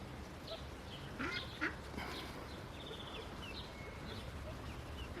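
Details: Freshly hatched Indian Runner ducklings in their nest give quiet, high peeps, some short and some drawn out, in loose clusters against a low background hum.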